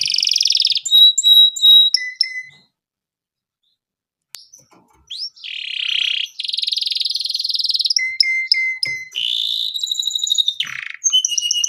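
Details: Canary in long, continuous song, used for baiting and for mastering other canaries: high whistled notes and fast buzzy trills, a brief silent pause near the middle, then rapid repeated chips and rolling trills resume.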